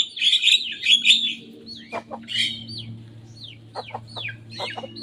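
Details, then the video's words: Young Javan myna imitating rivals' songs: a short burst of harsh high chatter, then a series of separate sharp rising-and-falling whistled notes, with a faint low hum behind. "Jalak kebo muda gacor bongkar suara lawan."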